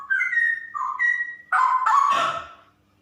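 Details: Straw-headed bulbul female, described as a 'super ropel' singer, giving clear sliding whistles that break into a loud, explosive gurgling warble before fading out.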